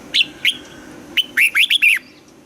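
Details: Red-whiskered bulbul in morning song training, pushed to sing the double-note 'âm kép già rừng' style: two short whistled notes, then a quick run of four buzzy, warbling rising-falling notes, with a steady low background hum.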